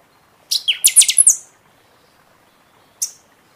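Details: A Buffy-fronted Seedeater singing heavily in season, after its moult, gives a quick, high burst of six or seven sharp, ringing notes lasting about a second, then one lone high note.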